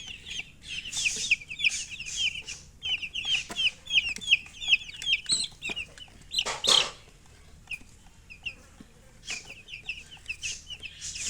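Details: Chicks peep in dense runs of sharp, high chirps, roughly three per second, pausing briefly before starting again, with clicks and rustling between bursts.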